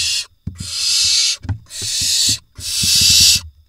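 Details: Barn owl nestlings in an Israeli nest box, 27 June 2021: the male arrives with a vole and the smallest nestlings seize it. Three long, rasping hisses of nearly a second each, separated by short pauses with soft thumps and scuffling.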